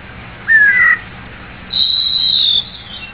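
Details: White-rumped shama song: a rising whistled phrase followed after a pause by a long, high, sustained warbling whistle, against faint low hum.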